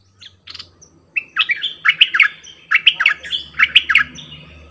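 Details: Bulbul decoy bird singing: a couple of short opening notes, then repeated phrases of rich, warbling whistles, loud and near, delivered in steady bursts.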